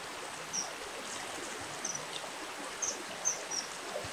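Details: A Common Kingfisher, recorded at a river in winter, gives thin, high, piercing whistled notes, about six short calls in four seconds, over the steady rush of a stream.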